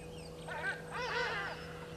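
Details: Burchell's starlings, two of them fighting, at Gowrie dam waterhole on Djuma Game Reserve, Sabi Sand, South Africa, 20 October 2022, afternoon: two loud, harsh, nasal rasping calls, the second longer, over steady electrical hum.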